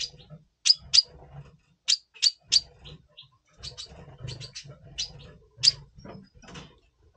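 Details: November 2023 recording of a double pastel red siskin in breeding mood ahead of breeding: sharp high chirps, often in pairs, spread across the clip over soft low indoor rumble.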